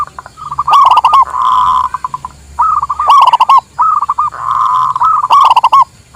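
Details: Local zebra dove from Indonesia singing, a recording made for trapping lures and training: mellow cooing phrases with sharp stuttered notes at their start, drawn-out level coos between, and the pattern returning about every two seconds.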